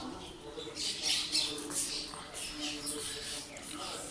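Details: Birds at feeding time in the early morning, giving dense, rapid high squawks and chirps, overlapping and repeated several times a second against a steady low background hum.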